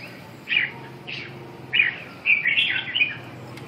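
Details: Red-whiskered bulbul song: two short slurred whistles, then a rich, bubbling run of warbled notes that rises and falls, delivered clearly over quiet surroundings.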